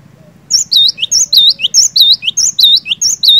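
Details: Cinereous tit singing strongly, used to stir a quiet bird to sing: a loud steady run of paired phrases, a bright high note then a dipping slurred whistle, repeated about twice a second, faint low hum underneath.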